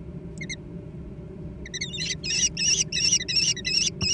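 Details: Kestrel chicks, American kestrel, vying for food: after two soft early notes, a run of loud, high, quavering squeals repeated evenly almost three times per second.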